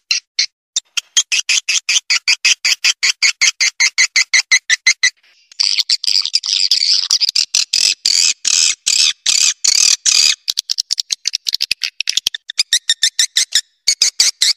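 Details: Swiftlet lure calls: a fast series of high, dry chirps, nearly three per second, then a denser buzzy twittering chatter. No other sounds are heard.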